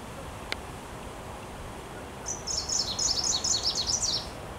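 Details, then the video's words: In Warsaw, Poland, on 9 June 2023, a wood warbler, a spring visitor, gives its song after a quiet start with one sharp click: a high sibilant note quickly breaking into a rapid, shimmering trill of falling slurs. "Wójcik - Wiosenny gość w Warszawie"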